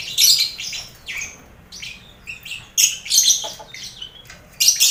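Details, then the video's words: Lovebirds in a communal enclosure with finches and quail, meant to steady birds headed for singing contests: intermittent shrill squawks and rapid twittering phrases with brief silences between. "Sound Koloni Lovebird"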